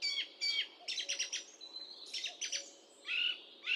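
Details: Song thrush singing, taken with a high-definition microphone: bright, varied phrases of whistled notes and quick chattering trills, each short motif repeated two or three times in rapid succession, separated by brief pauses.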